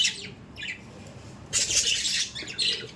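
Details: Pet budgerigars: a short raspy chirp, a quiet gap, then a loud burst of harsh, noisy squawking lasting about a second, followed by fainter scratchy notes.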